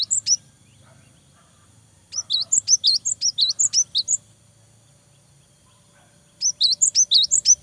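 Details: Energetic singing cinereous tit meant to rouse rival birds: rapid runs of bright, high notes swinging between two pitches, delivered in three bursts separated by pauses of about two seconds, against a faint low hum.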